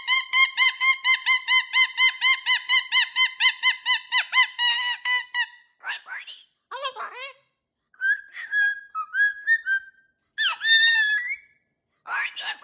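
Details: Caged pet cockatoo playing with new jingly toys on its cage, vocalizing: a fast run of about twenty evenly repeated, wavering harmonic 'woo' notes, then scattered speech-like squawks and short rising and falling mimicked syllables indoors.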